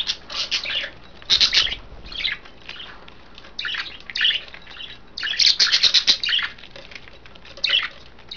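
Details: Several pet budgerigars bathing indoors, uttering grouped bursts of scratchy, high chattering chirps separated by short pauses, with one long busy run of warbling near the end.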